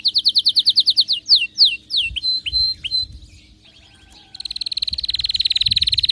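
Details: An excited canary sings quick repeated slurred notes, a few sweeping drops and falling whistles, a short pause, then a long rapid buzzy trill that grows louder.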